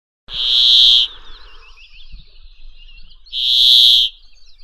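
A Brambling gives two long, harsh, wheezy buzzes about three seconds apart, with faint high twittering from other birds in between.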